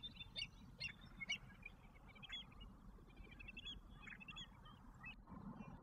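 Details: American avocets with their young chicks in Alberta: sharp, ringing calls come in quick bursts through the first second and a half, then fainter scattered chirps follow over a low, steady background rumble.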